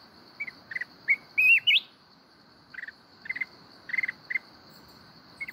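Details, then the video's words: Mountain red-whiskered bulbul singing the kít bổi forest voice, Binh Thuan. A few chirps, a wavering whistled phrase swooping upward, then spaced stuttered chirp groups over a steady high insect drone. "chào mào núi hót giọng rừng kít bổi cực hay"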